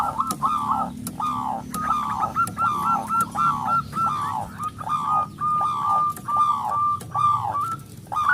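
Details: Local zebra dove with a powerful voice, in eager song and used as a lure for other doves: regular chain of full, rolling coos, each note swelling then dropping, about once per second.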